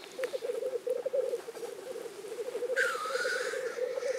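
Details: Lekking black grouse in Innvik during 2014 give a dense, rolling bubbling song. One drawn-out hissing whoosh follows near the three-second mark.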